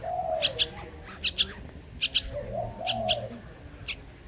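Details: Bird voices: mellow, rounded coos that swell and fade, interleaved with brief high double chirps about every second, in a fairly quiet setting.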